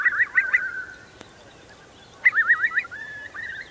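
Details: Eurasian curlew among about 3,000 taking refuge in the wet meadows of Marquenterre, Bay of Somme, during a high spring tide on 7 October 2021; two bursts of rapid, wavering, bubbling whistled notes, the second trailing into a drawn-out whistle.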